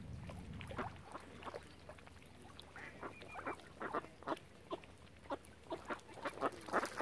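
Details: Many ducks around a swan family on Lough Neagh, Oxford Island, Ireland: rasping nasal calls, sparse at first, then a steady run of sharp bursts about every half second, with low rumble at the start.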